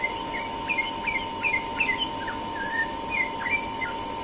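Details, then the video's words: Sooty-headed bulbul giving its rapid ropel-style morning song: a quick series of short bubbly chirped notes, some rising and falling, over a steady background hum. "burung trucukan ropel pagi"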